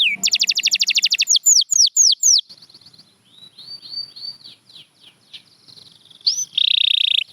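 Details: Opening with a rapid ringing trill and several descending whistles, a champion canary drops into soft, lower warbled notes, then ends with a rising note and a dense, sustained rolling buzz.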